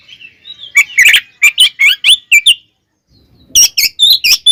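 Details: Oriental magpie-robin fighting song used to provoke other birds: soft whistles build into loud sharp chirped notes in quick succession, a short silence, then another burst of high piercing whistles.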